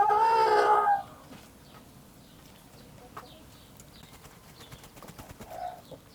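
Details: Village hens and rooster: one loud, harmonic, drawn-out squawk lasting about a second opens the clip, followed by quieter farmyard rustling, scattered soft noises and a brief faint call near the end.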